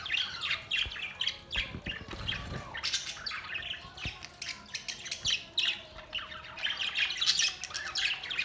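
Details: Budgerigars keep up continuous warbling chatter, quick scratchy chirps and short squawky notes overlapping throughout, with a brief low thud near two seconds.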